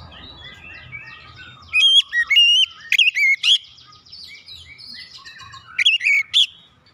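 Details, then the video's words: Oriental magpie-robin singing as a provoking lure for magpie-robins that stop singing: soft chattering twitters under bright, ringing whistled notes in two clusters, with faint low rumble. "PANCINGAN KACER CEPAT EMOSI 100% KACER MACET MALAS BUNYI CEPAT GACOR"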